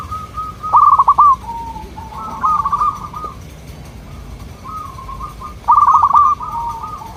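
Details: Local zebra dove, said to have a soft, melodious voice, cooing to make nearby doves answer: loud clipped bursts of rapid notes alternate with gentler rolling phrases, repeated twice across the recording.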